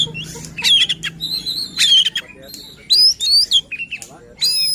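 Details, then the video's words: Oriental magpie-robin song used to agitate rival birds and prompt silent ones to sing; short bursts of bright whistles and squeaky notes in uneven phrases, preceded by a brief low hum. "Suara KACER Buat EMOSI dan NGOTOT Kacer Lain | Pancingan Kacer Malas Bunyi."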